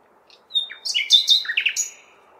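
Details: City-dwelling common nightingale singing through a May night: a rapid jumble of clear whistles, sharp chirps and slurred down-sweeping notes rich in variety, over a faint low background hum.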